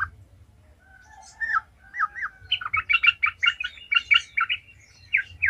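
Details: Trucukan (sooty-headed bulbul) singing 'gacor ngalas' as a lure for other bulbuls: soft descending whistles give way to a steady string of rich, bubbling syllables, ending in two quick slurred notes, faint background hum.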